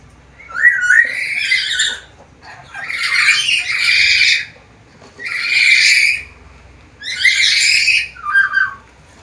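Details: Black-capped lory in lively voice, able to talk, gives a run of four long, grating squawks, the first with a warbling, rising start, ending in a short, lower chuckle.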